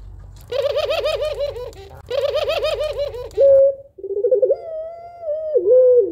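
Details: Puter pelung doves, a female calling a lazy male to coo: two bursts of bright, bouncing, laugh-like pulsed cooing, then a short clipped coo and a rolling coo stretching into a long level drawn note.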